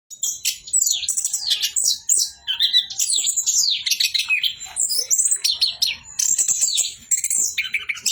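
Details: Orange-headed thrush in nonstop 'bocor' singing: a rapid, unbroken stream of high whistles, sharp downslurred notes and buzzy twitters, with almost no pauses.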